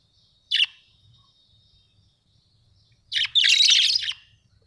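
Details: Pet budgerigars indoors: one short raspy chirp, a long quiet gap, then a loud second of dense, buzzy warbled chatter.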